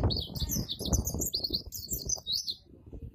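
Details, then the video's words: White-eye singing a full, richly varied song in the styles called ngalas and ngeroll: quick, high, slurred chirps running almost continuously, over loud low-pitched rumbling background noise. "Pleci Joss Full Isian Melimpah ruah, NGALAS NGEROLL"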